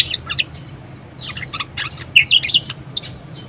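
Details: Budgerigar singing for training other birds: a brief run of high squeaky chirps and clicky twitters in small clusters, over a faint hum.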